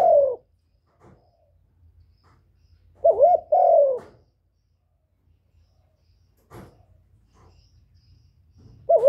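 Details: Captive spotted dove singing as a decoy bird: a lone falling coo, then a rolling wavering coo and a long mellow note, long quiet stretches with light clicks and knocks, and a final coo at the end.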